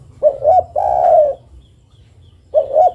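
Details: [1, 'Female spotted dove (derkuku) calling to the male: two short rising coos, then a long, level, slightly falling croon, with the next phrase starting at the end; low rumbling background.']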